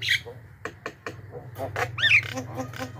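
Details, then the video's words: Javan myna recording for luring wild birds: a scattering of sharp clicks and short chattering notes, then a clear rising-and-falling whistled note, over a low hum. "suara burung pikat jalak kebo gacor"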